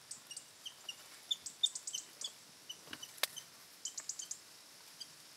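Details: Common snipe (Gallinago gallinago) fighting rivals in autumn, November, on migration at shallow feeding waters in Gizilagach National Park, Azerbaijan: thin, high chirps and ticks in irregular bursts, about three a second, one sharp snap midway, quiet background.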